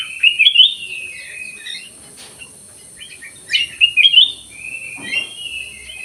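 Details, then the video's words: Black-crested bulbul singing in an aviary: two bursts of bright, warbled whistled phrases, the first near the start and a longer one around three and a half seconds, over a steady high hiss. "KUTILANG EMAS GACOR"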